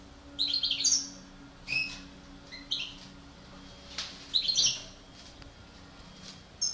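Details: Breeding pair of parva-subspecies European goldfinches: bursts of quick tinkling twitters and short chirps spread across several seconds, over steady background hiss.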